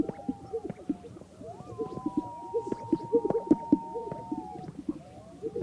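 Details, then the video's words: Several greater sage-grouse displaying for mating on a lek amid sagebrush in North Park, Colorado, in the morning make low bubbling pops and plops in quick irregular succession, with thin drawn-out whistled tones above. "Greater Sage Grouse"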